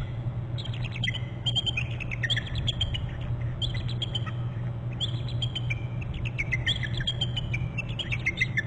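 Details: Pair of wild bald eagles at their nest and territory on Hornby Island, calling together after one returns to a short branch; rapid series of high, thin chirping notes with squeaky descending trills, overlapping voices, over a constant low hum.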